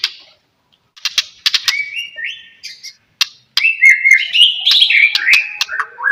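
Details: White-rumped shama song used as a lure to make other shamas sing: sharp clicks and rich whistled phrases around mid-high pitch, with tumbling varied notes building through the second half.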